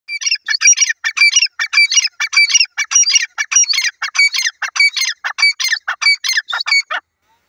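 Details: Grey francolin (teetar) calling: loud, harsh, rhythmic phrases of grating notes repeated in a steady series, nearly two per second, for about seven seconds. The background is otherwise silent.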